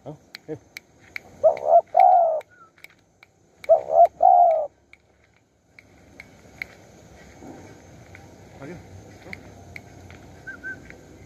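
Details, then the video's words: Wild spotted dove calling in Surat Thani, Thailand, during decoy luring: two mellow cooing phrases, each a short double note then a longer falling coo, about two seconds apart, followed by quiet rural background noise. "ต่อนกเขาใหญ่สุราษฎร์ธานี หมายในบางใบไม้ นกป่าเรียกคู"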